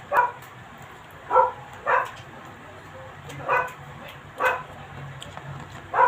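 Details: Ducks feeding give six short, nasal quacks at uneven intervals about one to two seconds apart, over a quiet, low background hum.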